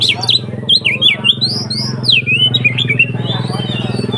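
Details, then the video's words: Kacer singing 'konslet ngeplong' as provocation for other kacer: fluid up-and-down whistled phrases, loud at first and then fading, over a strong low droning hum. "SUARA BURUNG Kacer konslet NGEPLONG untuk PANCINGAN KACER supaya lebih EMOSI"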